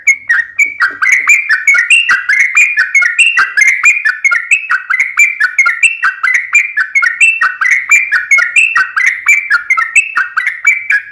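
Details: Sooty-headed bulbul in continuous long 'ropel panjang' fighting song: an unbroken run of lively, bubbly chirped phrases for over ten seconds.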